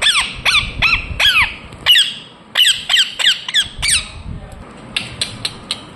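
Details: Indian ringneck parakeet chirping in a quick series of shrill downward-sweeping notes, then a short pause and softer, scattered calls near the end.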